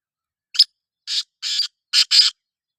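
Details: Black francolin call: one sharp grating note, then four longer harsh rasping notes, the last two almost joined, together forming a rhythmic creaky phrase in clean silence.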